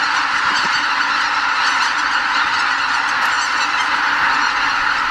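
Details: Greater white-fronted geese leave their night roost in a mass departure before spring sunrise at Miyajimanuma, Hokkaido, heading to feed on surrounding fields; a steady roar of many overlapping honks.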